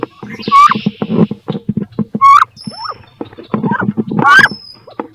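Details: Female wood ducks fighting in a nest box over laying eggs there; several rising squeals mixed with heavy scuffling, knocking and scraping, plus a thin high tone in the background.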